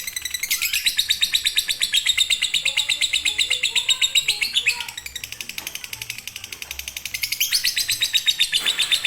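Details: Lovebird singing a konslet-style master song for birds that will not sing: dense, rattling high chatter in long bursts, breaking off briefly twice before resuming at full speed.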